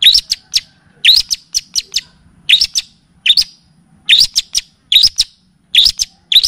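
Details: Cendet, the long-tailed shrike, on a tutoring recording in full kapas tembak and cililin style: regular groups of an upswept piercing note plus quick clipped ticks, repeated roughly every second, with faint low hum.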